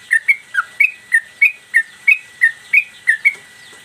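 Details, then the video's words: Caged yellow-vented bulbul singing the mbandul Garuda style while moving its tail, recorded as a training master: a fast series of ringing whistled notes, steady rhythm of roughly three per second, upslurs and downslurs alternating. "Trucukan gacor mbandul satu lagu main ekor dan Garuda cocok buat masteran"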